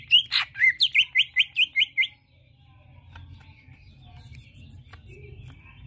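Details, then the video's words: Greater green leafbird song, used as a lure to make another bird answer: a rapid run of about nine bright, sweeping chirps in two seconds, then near silence with faint high twitters and a low background hum. "Mudah Nyaut Cucak ijo Suara Seperti ini Untuk pancingan"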